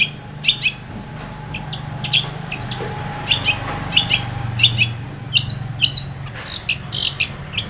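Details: A long-tailed shrike is heard in lively song, played to stir a mute shrike into singing: scattered scratchy chirps and squeaky notes, a few clearer whistled phrases near the end, a faint steady tone, and a low rumbling background.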